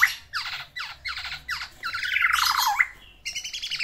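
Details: Black-naped oriole kept in a cage, singing to court a female and giving its learned fill-in: several rasping down-slurred notes, then a long churring trill and a final scratchy phrase, recorded indoors.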